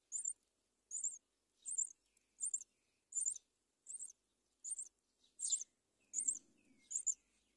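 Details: Myna at a nest in a palm tree as the mother brings locusts to her chicks: ten short, high, scratchy chirps about every 0.7 seconds, with a faint low murmur near the end.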